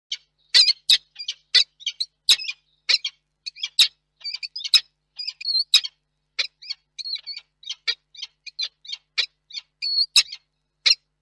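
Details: Male peregrine falcon calling for his absent mate before entering the nest box to roost for the night, Reda, Poland, 21 August 2021: harsh high chattering notes several times a second with thin squealing wails.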